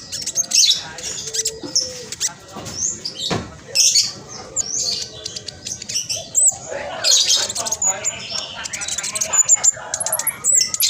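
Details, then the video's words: Spotted-phase black sunbird singing energetically with rapid dense chattering, used as a lure to prompt silent caged birds. Shrill twittering bursts alternate with short pauses across the stretch, ending in thin high whistles. "Blacksunbird trotol gacor prospex cocok buat pancingan burung macet malas bunyi"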